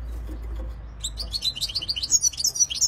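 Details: European goldfinch beginning to sing after a second of low hum: quick, high, tinkling twitters and trills running on to the end.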